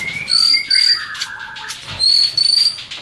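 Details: Female white-rumped shama in breeding condition, feeding its chick, calls to draw in males: sustained high whistles in two bursts, with a lower drawn-out whistle sliding downward between them.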